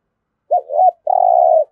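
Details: Spotted dove cooing in the Vietnamese "thổ" voice style, used to prompt captive birds to start calling and fighting: a short two-part wavering coo followed by one longer, steady mid-pitched coo, in a quiet setting.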